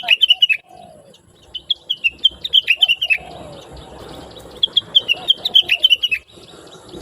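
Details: Chatty blue-winged leafbird, recorded as a training recording to help other birds sing: quick strings of sharp, downslurred chirps in two bursts, with softer lower sliding notes and faint background rustle between them.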